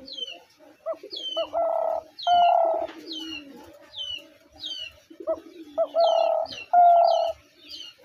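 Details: Spotted dove cooing repeatedly, each phrase a short rising note followed by two long, steady, hollow coos, repeated about every two seconds; thin high chirps from other small birds sound throughout.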